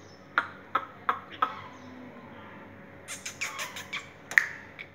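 Black francolin giving four sharp, clicking notes about a third of a second apart, then a harsh, grating burst of rasping notes.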